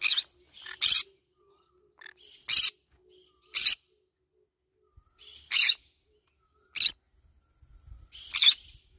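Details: A green-cheeked conure munching banana leaves repeats loud, scratchy squawks, often doubled, roughly every one to two seconds in a steady, insistent series.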